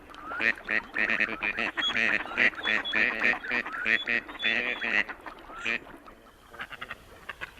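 Male Gadwall giving rapid, nasal chattering calls in quick bursts, with several birds calling together; faint speech underneath.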